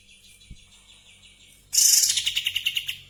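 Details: Cream-vented Bulbul in breeding condition, tail spread, bursting after quiet into a loud, buzzy high trill of rapid pulsed notes that slows and fades toward the end.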